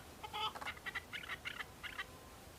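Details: Male Chukar partridges on Bamo mountain in Kurdistan, fighting and displaying in breeding season, give a short run of about eight sharp chucking notes, loudest at the start, over faint background hiss.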